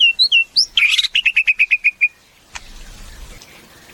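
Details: Caged white-rumped shama giving a few looping whistles, then a quick run of about ten short repeated whistled notes, followed by a faint noisy rustle.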